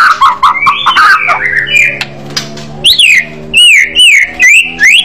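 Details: Fighter-style white-rumped shama singing loudly and aggressively: warbling slurred notes at first, then a series of ringing, arched whistles repeated about once a second.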